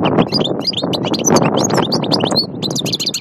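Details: European goldfinch in Annaba's Aïn Barbar: high, quick twittering notes. They are partly masked by loud, steady broadband noise throughout.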